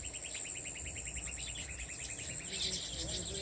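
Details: Weaver birds nest-building in a farmhouse tree give a quick run of short, even chirps, about seven a second for two seconds. Louder jumbled chattering follows, all over a constant high insect drone.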